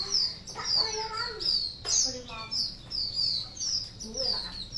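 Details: White-rumped shama song: high, clear down-slurred whistles repeated roughly every half second, interleaved with lower varied warbling notes and a few short fluty phrases.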